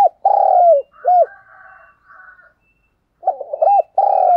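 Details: Spotted dove decoy cooing to attract wild doves: a long level coo that drops at its end and a short arched note, faint twittering from another bird, then a fresh phrase of rapid notes and a long coo.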